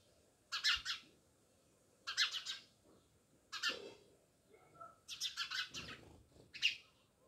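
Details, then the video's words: Near a village house in Jamnagar, a house sparrow gives rasping chirps in clusters every second or two, with a faint thin whistle from another bird in between. "Natural Sound Of Sparrows | House sparrows Chirping"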